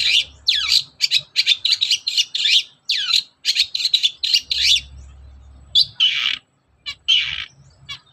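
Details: Shrike lure recording: a long-tailed shrike singing in the morning, with a dense, fast series of scratchy chattering and descending squeaky notes for five seconds, then a few louder rasping bursts.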